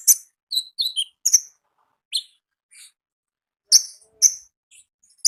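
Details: Konin singing in the wild, 'gacor ngalas' style, with sparse high chirps and brief descending whistled notes spaced by silent gaps.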